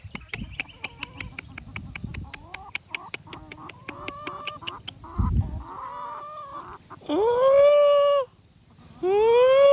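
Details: Chickens on a farm: a run of short, evenly spaced clucks speeding up, then two long, loud, drawn-out squawks with a sharp rising start and level tone.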